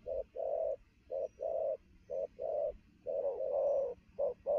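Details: Lively recently trapped spotted dove at noon delivering rapid coos, low and hollow, paired brief and longer notes repeating quickly, one longer wavering coo near the end.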